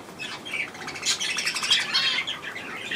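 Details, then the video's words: Young budgerigars given millet on 3 May 2024, a busy stream of high, raspy chirps and warbles tumbling over one another in quick succession. "Hirse und die Jungen Wellis"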